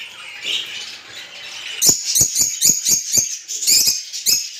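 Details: Rosy-faced and Fischer's lovebirds with breeding-stimulation calls: soft, hissy twitter that turns into a quick series of sharp clicking chirps, about two per second.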